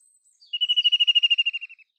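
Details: White-throated kingfisher giving a loud, fast rattling trill of about fifteen sharp, evenly spaced notes, starting strong then fading and slowing toward the end, after a short high introductory note.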